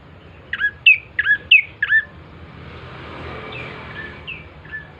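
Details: Lure song of a bar-winged prinia to get birds singing: a short burst of five sharp, hooked chirps, then softer distant notes and a broad hiss of background noise.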